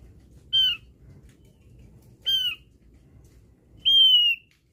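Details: Sound of a Javan grey-throated white-eye used as a lure, three loud nasal calls, two short and harsh, the last longer and flatter, spaced about one and a half seconds apart.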